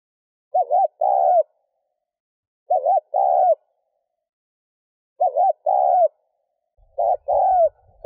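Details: Spotted dove coos aimed at exciting a decoy bird. Four evenly spaced phrases, about every two and a half seconds, each a short warbled note and a sustained coo. Low rumbling comes in near the end.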